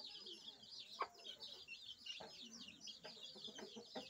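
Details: Protective mother hen with her chicks, keeping them close with special clucks and warning of danger: a constant high wavering chorus of chick peeps over scattered soft, low clucks and a few sharp taps.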